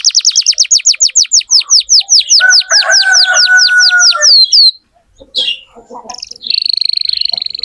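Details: Canary song as a lure for young canaries: rhythmic falling swept notes over a steady lower whistle, a short gap with soft chirps, then a thin, high buzzy trill.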